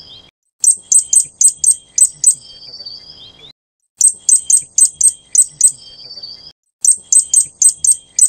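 Fire-breasted Flowerpecker giving bursts of about six very high, sharp ticking notes, each run trailing into a thin, high trill, repeated roughly every three seconds.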